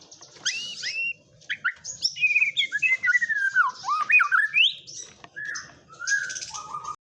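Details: White-rumped shama singing with kapas tembak filling: a long varied run of loud slurred whistles, rising and falling notes, fast chatter and a final short buzzy phrase, over a soft low hum.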